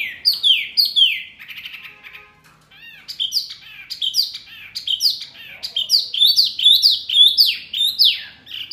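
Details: Very noisy mini wambi bird that stirs up other birds: bursts of sharp descending chirps, a brief pause, then dense rapid chirping with overlapping high notes.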